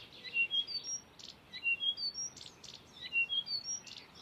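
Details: Blyth's reed warbler singing at Far Ings Nature Reserve, UK, on 11 June 2020, a mimic copying species such as Redstart, Chiffchaff and Bee-eater; high clear whistles alternate with short buzzy bursts in a quick, uneven run of repeated phrases.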